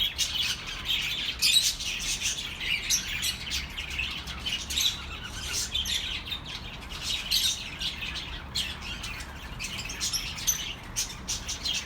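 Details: Relaxing birdsong for lonely pet birds, an unbroken stream of high chirps and chattering notes with occasional scratchy squawks.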